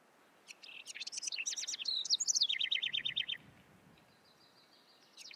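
A house wren's bubbling, rapid song: a jumble of high chatters and trills that tumble downward into a fast rattling series, lasting about three seconds.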